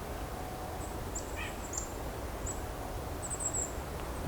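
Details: In winter, during a Christmas Bird Count at Hanover-Walkerton, a Golden-crowned Kinglet in a mixed flock with chickadees, nuthatches and Blue Jays gives very high, thin, ringing notes in triple or quadruple runs over a low rumble, with another brief bird note.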